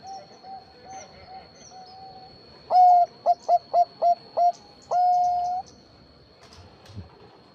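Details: Zebra dove (perkutut bangkok) calling as a lure to draw answers from other zebra doves: a long cooing note, then a rapid run of five short, even coos, then a drawn-out final coo. Faint background noise.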